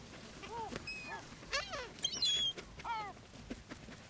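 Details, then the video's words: Seagulls being fed on the sand at Brean, Somerset, in April: short mewing calls, a burst of harsh overlapping squeals, then a thin high whistle-like note, with quiet shore noise behind. "Seagulls Sea and Sand"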